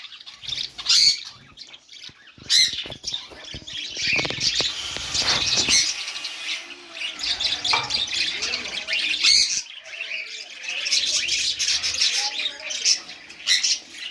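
A small group of budgerigars chattering together in continuous high, scratchy warbles and chirps.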